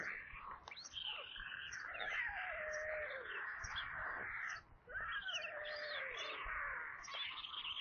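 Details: White storks feeding at the nest, Kaluga region, Russia, on 22 July 2022 at 17:52, seen by nest webcam; a corncrake was among the food. Long cat-like whining cries with sliding falling notes, briefly interrupted before resuming.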